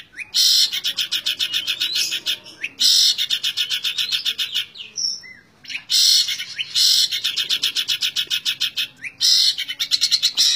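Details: Continuous 'tembak ngebren' song from a long-tailed shrike: long runs of loud, harsh, machine-gun-fast pulsed notes, each run lasting a few seconds, separated by short pauses.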